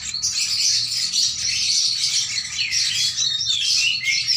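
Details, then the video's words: Sooty-headed bulbul song used to teach a young bird: rapid, high twittering with short whistled slurs and chirps running on without pause, loud and crowded. "burung kutilang melolo anak burung terucukan"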